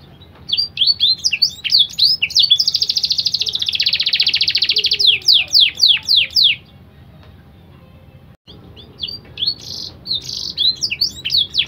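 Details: Canary of BBSF x Berner cross in full song, trained with blackthroat material for tutoring young birds: sharp descending sweeps, a long buzzing trill of several seconds, more sweeps, then a pause before further trilled and sweeping phrases resume.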